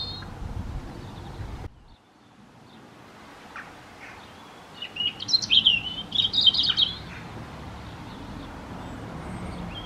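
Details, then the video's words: A European robin gives a brief burst of territorial song in breeding season, answering neighbouring robins: a quick run of high, sharp, twittering notes midway through, with quiet low rumble before and after. "Singing Robin"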